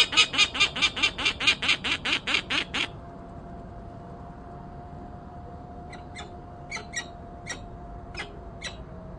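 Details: Bird alarm calls: a fast run of harsh, raspy notes about five per second for three seconds, then a pause and scattered softer clicking notes, over a faint steady hum.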